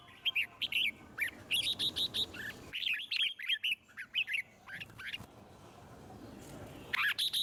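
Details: Red-whiskered bulbul singing a wild 'forest voice' song to encourage other birds to sing; lively strings of short whistled notes in rhythmic bursts, a quieter stretch midway, then a final loud phrase.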